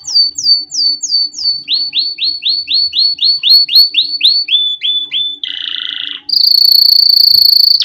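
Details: Canary song meant for training chicks: five high falling whistles, a long run of about twelve swooping downslurs, three short flat notes, a buzzy rattle, then a loud high sustained trill.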